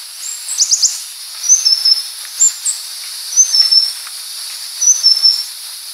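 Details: Leptocoma sperata, Purple-throated sunbird, starting with a quick volley of sharp falling notes, then high thin whistles and flat two-note phrases repeated at intervals of around 1.5 seconds amid steady hiss.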